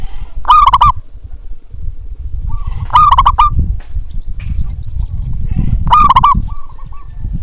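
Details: Zebra dove (perkutut) recording used as a call to stir quiet zebra doves into cooing: a rapid, trilled, rolling coo about every three seconds, trailing into softer notes over low rumbling background noise.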